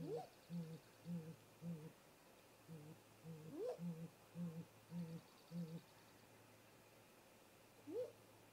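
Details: Great grey owl pair at their nest snag, late afternoon 18:58 MDT, male arriving then female: low hoots in short runs, each run opened by a rising whoop, then a pause and one last whoop.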